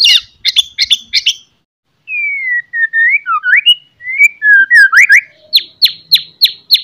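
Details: White-rumped shama morning song played to raise the fighting mood of other shamas. Rapid sharp notes lead into a pause, then flowing whistled phrases that rise and dip, and end in a row of crisp repeated chips.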